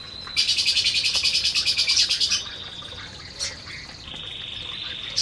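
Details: A canary in an aviary where the flock is feeding gives a loud, fast, high trill of rapidly repeated notes lasting about two seconds. A sharp chirp and a long thin whistled tone follow.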